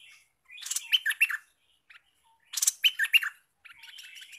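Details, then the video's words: Olive-winged bulbul, recently caught and singing keenly as a prospective lure bird: two lively bursts of warbling, slurred notes about two seconds apart, with sharp ticks and a faint chatter at the end. "merbah lekir hasil mikat sekarang Gacor siap jadi master mikat"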